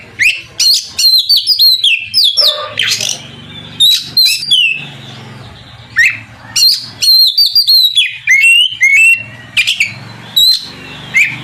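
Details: Oriental magpie-robin in vigorous song to goad a rival male into replying: varied loud phrases of sharp whistles, slurred rising and falling notes and harsh scratchy bursts, delivered in quick clusters with brief gaps.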